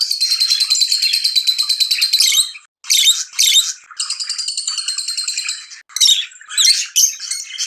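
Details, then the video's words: Lovebird chirping excitedly while mating: a rapid high pulsed trill, brief squawky bursts, a steadier buzzing trill, then choppy scratchy chirps. "أحسن صوت تغريد هائج لتزاوج طيور الحب"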